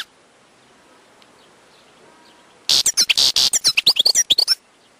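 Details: Wild European goldfinch singing: after two seconds of quiet, a quick burst of bright, liquid twittering notes for about two seconds, high and sharply rising and falling, then silence.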